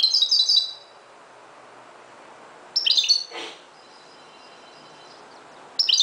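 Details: Moroccan goldfinch at dawn gives brief, bright twittering phrases separated by quiet gaps, with a short soft rustle after the second phrase.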